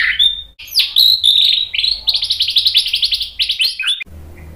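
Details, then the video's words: Provoking song of a white-rumped shama, meant to stir a rival to reply: clear high whistle, then rapid rattling notes and sweeping slurs, ending abruptly in quiet hum. "MASTERAN MURAI BATU memancing EMOSI jadi NYAUT"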